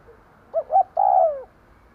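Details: Spotted dove used as a decoy, cooing to draw wild doves: one phrase of two short rising notes leading into a long, gently falling croo, in a quiet setting.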